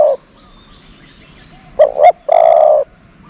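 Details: Dove serving as a lure for other doves, ending one coo and then delivering a short two-pulse note followed by a long, even, low hooting coo; faint chirps in the background.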